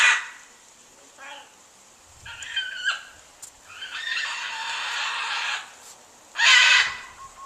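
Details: Big pet bird on a back porch, crying on and on; a series of harsh, raspy screeches, one long drawn-out cry in the middle and a sharp loud squawk near the end.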